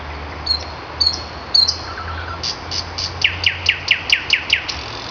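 Common nightingale song: a few high whistles and a low rattle, then a burst of clicks and about ten sharp, falling notes repeated quickly, with faint background hiss.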